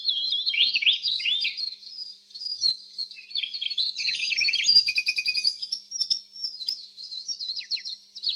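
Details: Canary singing a quick, varied stream of high chirps, slurred whistles and trills, about three notes per second, with occasional sharp down-slurred notes and soft clicks.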